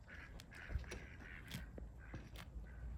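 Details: Turkey in the background near goats, giving a run of nasal, raspy yelps in quick irregular bursts over a steady low rumble of farmyard noise.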